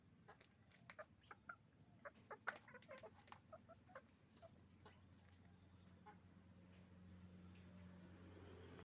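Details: Roosters and hens calling on a chicken farm: a dense burst of quick clucks and squawks in the first four seconds, then thinning out as a steady low machine-like drone grows louder.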